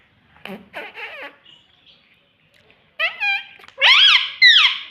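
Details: Talking rose-ringed parakeet repeating mummy papa: soft low murmurs at first, then after a quiet gap, loud, harmonic, swooping speech-like syllables from the bird in quick succession.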